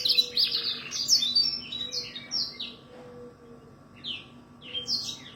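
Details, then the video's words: Canary singing a fast, varied jumble of high twittering trills and whistled notes, pausing midway then resuming with short bright phrases, over a steady low electrical hum. "canary bird singing"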